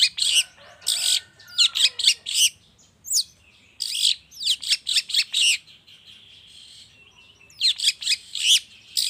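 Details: Morning lure recording of a long-tailed shrike meant to trigger singing: clusters of harsh, rasping notes in rapid bursts, separated by short quieter gaps with a thin drawn-out tone.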